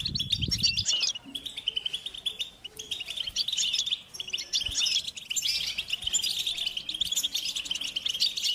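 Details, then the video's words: European goldfinches singing and chattering in a group outdoors; steady high twittering with tinkling, buzzy phrases, after a brief low thump at the start. "Beautiful Goldfinches Chattering & Singing Sound in Nature"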